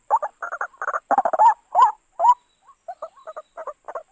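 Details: Ruak-ruak (white-breasted waterhen) lure recording for trapping: quick stuttering chatter builds into two loud rising calls, then drops away to scattered soft, short double notes.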